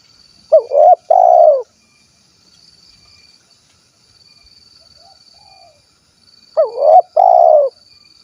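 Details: Spotted dove of the 'kuk 1' style from Cilacap, Central Java, cooing twice: each phrase is a quick upward-flicked note, a short hollow coo, then a longer falling coo, about six seconds apart, over a thin steady high whine.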